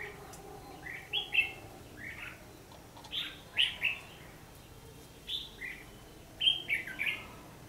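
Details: Lure red-whiskered bulbul singing a fighting song during trapping, 14 December 2015; clusters of two or three quick whistled notes, rising and falling, about four per second in bursts.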